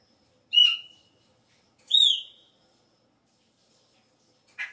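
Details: Chopi blackbird at the start of the breeding season, when its song changes. Two bright whistled notes, the first held level, the second dropping slightly, about a second apart. A short, harsher burst follows in a quiet background.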